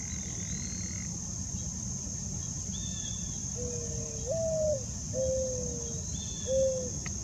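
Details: A male mourning dove perched on a rock among flowers in a park-like cemetery gives soft, low, hollow coos: a rising, sliding first note, then three shorter level coos, over a high insect drone and faint distant birds.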